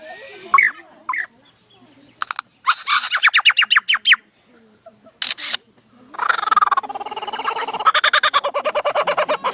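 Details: Native Australian lyrebird imitating surrounding sounds: clusters of sharp clicks, rapid stuttering rattles, and a long dense run of fast repeated buzzy notes, with low voices between bursts.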